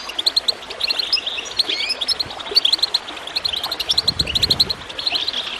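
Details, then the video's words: Chirping goldfinch with bubbling water, intended to get birds singing: lively, high-pitched twitters in near-continuous chains, occasional louder accented notes, water flowing underneath. "Water gurgling with goldfinch chirping to encourage birds to song"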